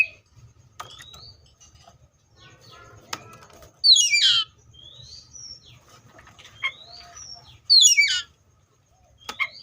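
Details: Seychelles magpie-robin singing over a low background hum: scattered thin whistles and two sharp, harsh descending bursts about four seconds apart, with soft chirps between.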